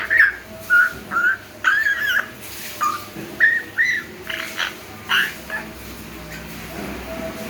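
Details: A 3-month-old baby African grey parrot practising whistling in an aviary: a run of short whistled notes, some rising, some wavering, repeated roughly every half second for about five seconds, then quiet.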